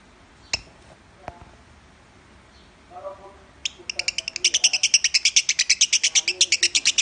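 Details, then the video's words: Lovebird Minor-style song from a training recording: a few isolated clicks and soft low sounds, then a sudden rapid stream of piercing high chirps, about three per second, continuing to the end. "Masteran burung lovebird suara Minor"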